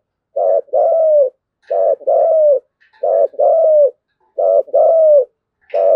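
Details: Spotted dove acting as a ground decoy, cooing to gather its flock: a steady pattern of a short rough coo followed by a longer falling coo, repeated about every 1.4 seconds. Background is quiet.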